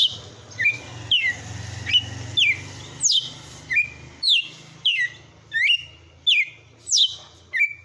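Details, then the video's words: Red-cowled cardinal owned by a bird breeder pouring out its powerful açoite song, a steady series of about twelve crisp slurred whistles, near-evenly spaced, over a constant low hum. "TOME ESSE AÇOITE DE COM FORÇA DO MEU GALO DE CAMPINA"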